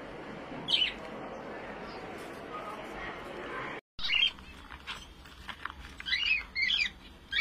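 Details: Finch chirping in short high bursts, a few single notes early, then a cluster of rapid twittering chirps near the end, over a steady hiss of background noise with a brief dropout mid-way.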